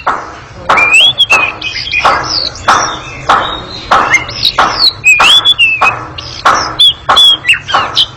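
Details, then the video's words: Ngekek song of an Oriental magpie-robin, long, agile and noisy: rasping chatter bursts roughly every half second, each followed by a clear whistled note that rises or dips, in a busy nonstop stream. "Kacer ngekek panjang sangat gesit dan berisik"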